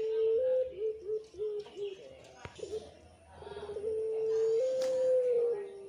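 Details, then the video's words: Young captive Barbary doves of the pelung type, noisy after being fed. They give steady mid-pitched tonal coos with small step-like pitch shifts, broken by a sharp click and faint human voices. "bikin rame sudah pada kenyang anakan puter pelung"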